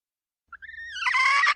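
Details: Female red junglefowl used to lure wild birds. A short, soft introductory note leads into a single harsh, squawking call lasting about a second, with a broad raspy tone that rises in intensity.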